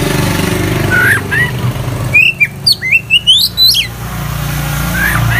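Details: Vigorous full isian song of an oriental magpie-robin (kacer): a couple of slurred whistles, then a rapid string of bright, varied chirps and upslurred notes for about two seconds, with traffic rumbling underneath.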